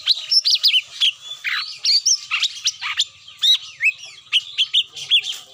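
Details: Cucak mini calling as a lure to bring birds down: a dense, lively stream of sharp high chirps, short downslurred whistles and twittering notes, several per second throughout with little pause.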